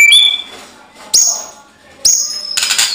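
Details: White-rumped shama song used as a lure to provoke other shamas into fighting song: loud, pure whistled notes, each with a sharp attack, about one a second, ending in a harsh burst.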